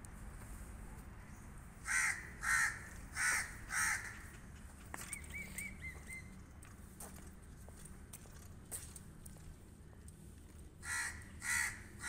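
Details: Crow cawing in a quick burst of four harsh, rasping caws, then a pause with faint clicks and rustling, then two more hoarse caws near the end.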